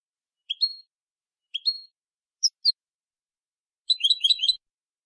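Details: Goldfinch copia malaga tutor recording: two upslurred whistles, a pair of short high clipped notes, then a brief burst of fast jingling twittering.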